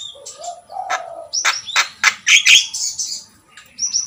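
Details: Javan myna singing a quick jumble of low whistles and loud harsh rasping notes, ending with a high whistled slur.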